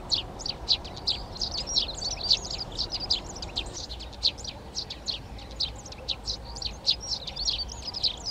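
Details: Near nest boxes that Eurasian tree sparrows began occupying in a Czech garden at Přerov on 19 March: steady stream of short, high chirps and tweets, several birds overlapping, faint low background rumble.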